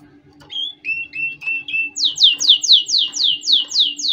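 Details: Canary song played for training chicks: a few short whistled notes, then a fast tour of high, descending sweeps repeated about four times a second, with a faint low hum underneath.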